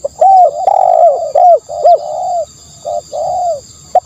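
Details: Spotted dove coos in quick succession: a run of rounded, slightly falling notes, then a pause and a few more coos. A thin continuous high tone is heard throughout.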